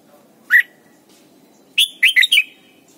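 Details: Training song of a red-whiskered bulbul for teaching young birds: one clear whistled note, a pause, then four fast warbling notes rising and dipping, over low background hum.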